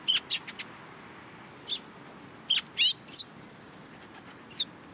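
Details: Sparrows flocking to a cherry tree at a Tenmangu shrine in March 2023 give clear, bright chirps in quick clusters of two or three, separated by short pauses.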